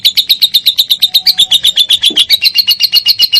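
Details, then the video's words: Lovebird song used to coax other lovebirds into singing: a quick, regular series of bright, sharp chirps, around seven each second, with a faint thin whistle behind them briefly. "MASTERAN SANGAT AMPUH BURUNG LOVEBIRD MINOR"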